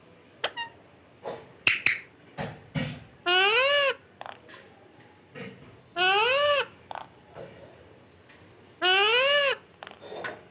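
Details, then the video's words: A series of clicks and snaps, with a parrot's loud, arched, harmonic call recurring three times at intervals of about three seconds. "parrot talking"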